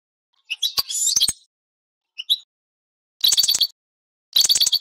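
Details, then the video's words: European goldfinch sings in short bursts of bright, tinkling twitters with liquid high notes, broken by pauses and a few sharp clicks. "تغريد السرسور طائر الحسون"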